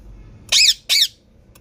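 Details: Green parrot giving two loud, harsh squawks in quick succession, each slightly arched in pitch, with a faint low hum behind.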